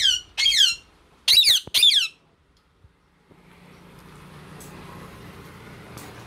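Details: Male and female ringneck parrots, rose-ringed parakeets, giving four loud, harsh screeching calls in quick bursts over two seconds, then quiet with a low steady hum and soft room noise.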